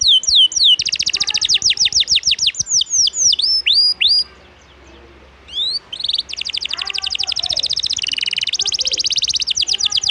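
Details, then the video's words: Canary song used as training material: falling whistled notes blending into fast trills, a pause broken by a few rising slurs, then an extended, rapid buzzing trill. "Masteran burung kenari isian ngejos..pedas"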